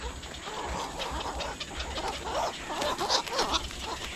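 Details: Black-crowned night heron calls near water: a run of short, hoarse squawks and croaks overlapping one another, over a steady low engine-like hum and background noise.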